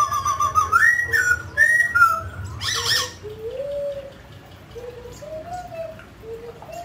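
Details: Mutant grey laughingthrush singing while dancing: clear whistled phrases rising and falling, a burst of harsh noisy notes, then softer low whistled slurs, with a constant low hum behind.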